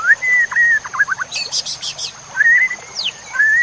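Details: Full-fill masteran of White-rumped shama song for training songbirds: long clear whistles and a quick stuttered phrase, a harsh rattling burst in the middle, then more sustained whistles. A steady high-pitched whine runs throughout.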